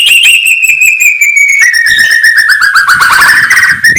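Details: Oriental magpie-robin (murai batu) morning song, said to raise a rival's agitation: a long loud whistled phrase sliding gently down, followed by rapid dense chattering notes with bright overtones.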